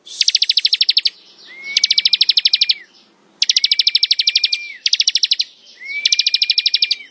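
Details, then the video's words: Bar-winged prinia (ciblek) giving its ngebren song: long dense rattles of very fast high ticks, repeated four times, with a smooth steady whistle beneath several rattles. "Suara ciblek ngebren"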